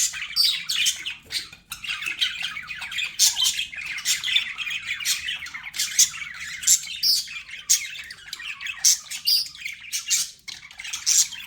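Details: Pet budgies chirping to help calm lonely birds: continuous, lively chatter of scratchy squawks, squeaks and short whistles in rapid succession, with only brief gaps throughout.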